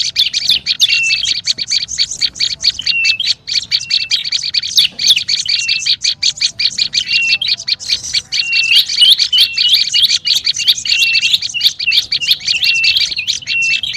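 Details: Long noisy lure bout of olive-backed tailorbird: an unbroken, rapid chatter of buzzy chips, with repeated short whistled and upslurred notes through most of the run.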